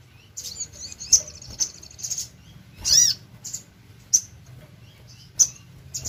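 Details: Energetic singing from a crimson sunbird: thin high twitters and sharp clipped chips, with one longer arched squeaky note midway, then well-spaced piercing calls.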